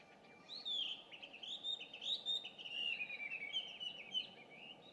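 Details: Chinese hwamei, an introduced bird, singing loudly at dawn around 5:30 on 2 June 2019, seen from a distance; a long run of varied whistled phrases, slurred and warbling, with steady background hiss.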